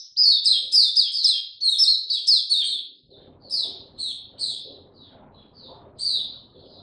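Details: Oriental white-eye, 02052022, singing a fast, energetic string of sharp, high chirps, then slowing to spaced sweet notes about twice a second over faint low background noise.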